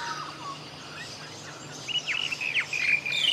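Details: Rainbow Bee-eater, a wild bird filmed in Cairns, Australia, giving a quick burst of burry, trilled notes repeated rapidly in the second half, over soft background chirping from other birds.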